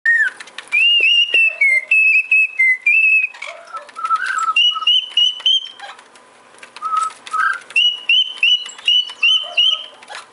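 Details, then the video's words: Male cockatiel whistling a melodic run of clear tonal notes, short phrases of held and slightly wavering whistles, some with quick upward flicks, broken by brief pauses. "Calopsita macho "Bibi" assoviando"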